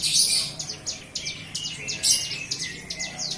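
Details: Young bar-winged prinia, kept and hand-fed until recently, beginning to sing: loud, high chirps in quick succession, some dropping in pitch, delivered in a lively, even series.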